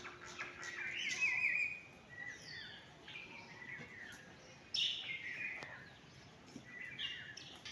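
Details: Myna giving varied whistled and sliding notes, some rising, some falling, in scattered bursts with a brief rattling phrase early on, against faint background hiss.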